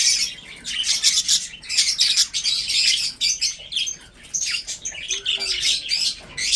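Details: Breeding pet budgerigars feeding, producing a steady stream of high scratchy chirps and warbling chatter, rising and falling in loudness, with a short low whistle-like tone near the end.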